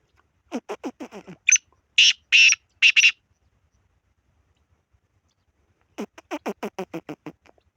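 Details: Black francolin calls in a mix of voices: loud, harsh, grating broadband bursts in a short series, with runs of rapid, descending, nasal pulsed notes before and after, and brief speech nearby.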